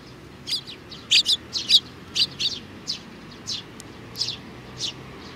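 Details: Eurasian tree sparrows, a flock with a little one, filmed on 27 June 2019, chirping busily: clustered sharp tweets in bursts of two or three, roughly a hundred notes a minute, with faint low hum beneath.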